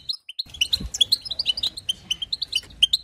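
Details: Goldfinch in 2022, singing to excite other goldfinches. After a short pause, clear high chirps and whistled notes follow each other rapidly in a lively, bouncing twitter.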